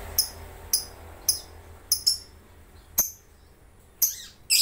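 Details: Lovebird in an online singing competition, from Sambas, West Kalimantan, Indonesia: sharp, very high chirps with bright overtones, given singly about every half second to second, with short pauses and a burst near the end.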